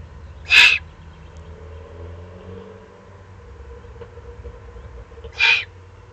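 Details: Excited juvenile Eurasian eagle-owls in the Eifel, recorded 21 June 2020: two short, harsh hissing begging calls about five seconds apart, with a faint low hum in the background.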